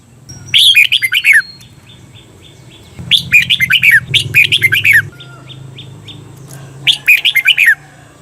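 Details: Red-whiskered bulbul, a cage bird, singing a 'double' (เบิ้ล) training song: four bursts of quick, bright chirpy notes, each about a second long, with a faint low hum in the background.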